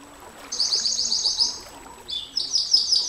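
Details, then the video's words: Canary song with a long sustained phrase, for training and luring champion canaries: a rapid trill of repeated high notes for over a second, a pause, then a lower whistle and further high rapid trills, faint background hiss. "Suara KENARI NEMBAK PANJANG, Untuk Masteran Dan Pancingan KENARI SANG JUARA, Canary Sound"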